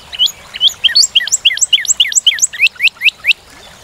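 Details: Song of a Northern cardinal: a steady series of two-part whistled phrases, each a high note sliding down into a lower one. The phrases come about four times a second for roughly three seconds.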